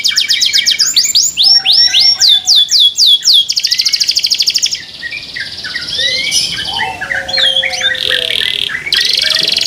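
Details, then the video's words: Canary singing loudly in a way said to make other canaries join in: fast high trills and rattling note series, then buzzy rolls and scattered whistled notes, several voices overlapping. "THE SOUND OF CANARIES CAN MAKE OTHER CANARIES JOIN TO SING"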